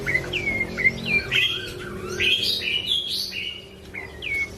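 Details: Lively bar-winged prinia song made of quick whistled notes, some sliding down and others looping upward, packed closely together, with a faint low background hum.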